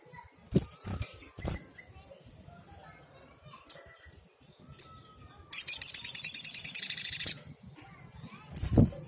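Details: A sogok ontong, a sunbird, heard in a tutor recording for songbirds: isolated sharp high chips, then a dense rapid buzzy trill of nearly two seconds, followed by a final chip and a thump.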